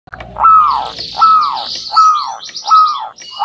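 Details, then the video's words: Local zebra dove duet used as a lure, two birds answering each other: a down-slurred whistled note repeated about every three-quarters of a second, four times, with faint higher chirps from other birds above. "Duet Perkutut Lokal Gacor Saling Bersahutan, Pancingan Double Manjur"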